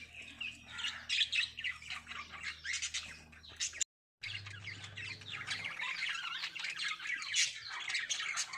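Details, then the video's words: Lovebirds during breeding, giving dense, overlapping high chirps and squeaky tweets in a continuous flock chatter, with a brief silent gap near the middle and a low steady hum underneath. "Love Birds Singing"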